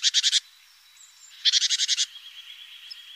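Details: Great tit near its nest box, filmed by webcam on an April morning: two fast rattling bursts of buzzy, pulsed notes, the second longer, over a faint thin whistle.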